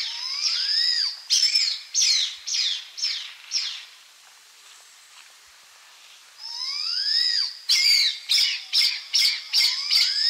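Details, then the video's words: Blood pheasant (Ithaginis cruentus) singing and calling: two bouts of high, harsh, squealing notes, each starting with a rising whistle and then rapid sibilant bursts about three per second, with a quiet pause between. "Blood pheasant (Ithaginis cruentus) call and song"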